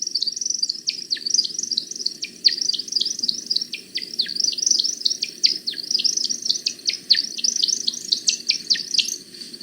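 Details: A male American Woodcock in his display flight, dropping earthward in a zigzag, gives a rapid, continuous run of high liquid chirping whistles, many with quick downward swoops, over a faint low background hum.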